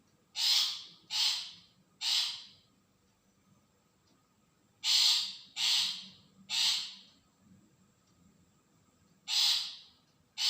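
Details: ['Lure call of a long-tailed shrike meant to make other shrikes answer: grating, rasping notes in clusters of three, separated by gaps of a few seconds, with two more notes at the end.']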